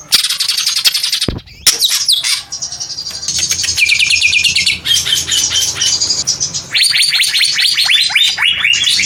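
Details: Long, varied squawking song of a greater green leafbird (cucak ijo): dense trills and sharp chips, a brief pause, then bright rising and falling whistled phrases and fast descending sweeps repeated toward the end.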